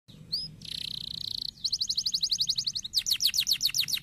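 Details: Canary song played to stimulate silent canaries to sing: a brief high whistle, a fast buzzy trill, then quick repeated down-slurred chirps that speed into a rapid rattling series.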